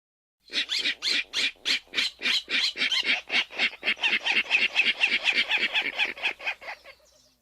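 Virginia Rail giving its grunt call: a fast series of harsh, squeaky grunts, about four per second, speeding up and fading at the end.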